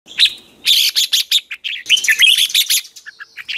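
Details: Red-whiskered bulbul in a 'hót ché' training song, used as a lure and as competition singing in the morning. Dense bursts of bright chattering, warbled notes follow one another rapidly, with short pauses between clusters.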